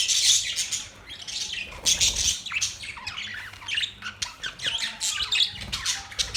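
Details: A busy chorus of budgerigars fills the air with rapid high squeaks, raspy squawks and trilling chirps, coming in loud bursts that rise and dip every second or so.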